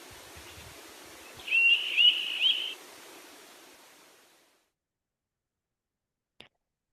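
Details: Begging juvenile Townsend's Solitaire, a sound heard only in late summer: a short series of three thin, rising whistled notes, polyphonic from both sides of the syrinx and slightly doubled and ringing, over soft background hiss.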